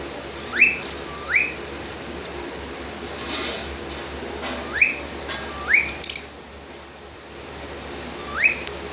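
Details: Happy pet cockatiel repeating bright upslurred whistles in loose pairs and singles, with a soft rustle and a brief click midway, in a quiet indoor setting.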